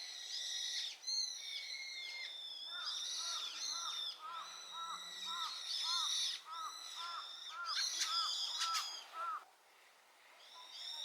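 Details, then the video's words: Wild brown-eared bulbul singing very loudly in answer to its flock's chorus: shrill, whistled, arching notes that overlap densely throughout, with a run of short, lower, arched notes repeated about twice a second in the middle, then a quieter gap near the end. "群れの大合唱に応えるヒヨドリ ヒヨドリの鳴き声 Brown-eared bulbul sing too loud."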